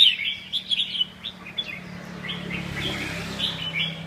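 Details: Red-whiskered bulbul singing: short bright warbled phrases around mid-high pitch in the first second and a half, then softer continuous chattering; a steady low hum runs underneath throughout.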